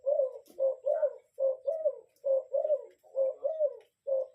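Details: Spotted dove, a lure bird, cooing in a loud, close series of low, hollow, slightly rising-then-falling coos, each about half a second long and given in pairs and triplets with short gaps, in a quiet indoor setting.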